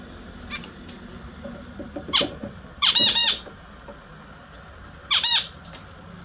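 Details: Pet Australian zebra finches taking a morning bath indoors; loud nasal honking calls in short stuttered bursts of stacked harmonics, a few isolated calls spaced seconds apart, over faint room hum.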